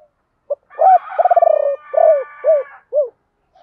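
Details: Spotted dove kept as a decoy, giving its 'ba hậu' calling style (also called 'bổ ba') to lure wild birds: a clipped opening note, a long coo, a rapid rattling roll, then three low downslurred coos in quick succession.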